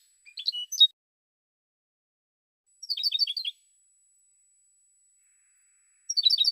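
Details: European goldfinch singing in a 2016 recording: a few scattered chirps, then after a pause a short phrase of quick tinkling notes, and another fast twittering run starting at the end.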